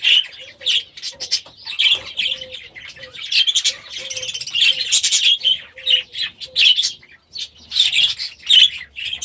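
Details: Young budgerigars from last year's breeding, now in a new aviary, fill the air with continuous squawky, buzzy chatter and chirps, over a repeated soft low whistle.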